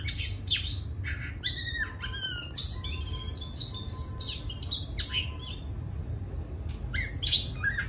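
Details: Kept Oriental magpie-robin singing at the end of its moult: a varied run of sharp, high whistled notes and short slurred chirps, some rising and some falling, delivered in quick bursts with brief pauses over a low room hum.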